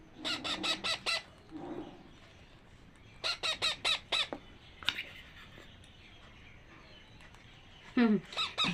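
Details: Two hungry parakeet chicks begging while being hand-fed in rapid bursts of four or five harsh, raspy pulses, then a squealing rise near the end, with a woman speaking softly.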